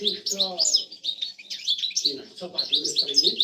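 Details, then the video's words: European goldfinch in a cage gives a fast, liquid twitter of high tinkling notes and short trills, with lower voice-like buzzy tones underneath at times; a breeding-stimulation recording, possibly with a canary. "تغريدة المقنين بتبتة تزاوج حسون بتبتة لتحفيز الحسون"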